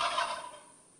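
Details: A brief, bright turkey gobble, heard as a rasping pulsed burst, fades away within about half a second.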